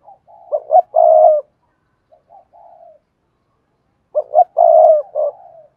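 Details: Spotted dove song in the Cườm Sa style with a hạp bổi voice. Two full cooing phrases about three seconds apart, each a few short stepped coos leading to a long sustained coo and a lower closing note, with soft coos between.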